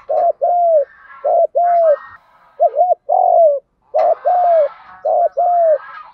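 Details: Urging field-voice coos of a spotted dove for training birds. Paired coos, a short double-hooked note and then a drawn-out downward one, repeat steadily, with a faint background rustle and twitter.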